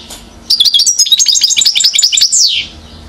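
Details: High, liquid twittering from a one-year-old European goldfinch recorded in Mouzaia, Algeria, in 2012; quick chattering notes run for two seconds and end in a long, downslurred note.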